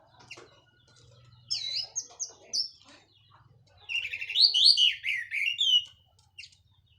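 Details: Song of a local Cililin orange-headed thrush fresh from moult, plong and teler style: a few high slurred whistles, then a long, rich rush of looping, sweeping phrases near the end, over a faint low hum.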